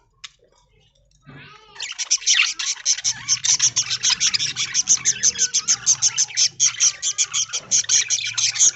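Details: Early-morning aviary flock of budgerigars eating corn in leaves: after a near-silent start, rapid high chirps swell into a steady pulsing chatter, about four bursts a second, continuing to the end.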